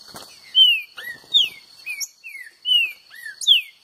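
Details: Green-winged saltator singing to outdo a free-living rival: a rapid run of bright, whistled notes, each sliding sharply downward, given about once every half second in varied pitches, with a faint steady high hum and a soft rustle early on.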